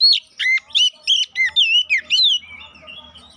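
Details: Oriental magpie-robin song used to provoke fighting: a series of about eight loud, evenly spaced, arched whistled notes, then fading softer warbles over a low hum.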